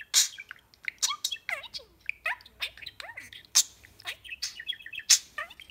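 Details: Talking pet budgie introducing himself to a second budgie at their first formal meeting: fast, continuous warbling chatter of squeaky rising and falling notes, sharp clicks and down-sweeping whistles, indoors.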